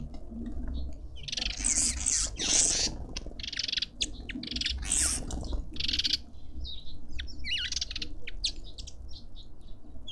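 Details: Cut-throat finches squabbling over food at a feeder in a suburban garden in Pretoria, South Africa: dense, overlapping bursts of high, thin chirps and tweets, with broadband fluttering rustles and a steady low background hum.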